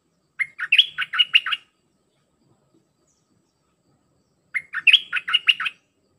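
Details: Red-whiskered bulbul song used to tutor hand-fed chicks and juveniles: two identical bouncy phrases of about eight sharp whistled notes, each lasting roughly a second, separated by a four-second pause with faint low rustling.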